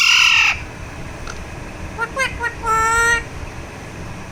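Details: Pet Alexandrine parakeet under a massage opens with a loud rasping screech, then gives a few soft short notes and a clear, level, drawn-out call.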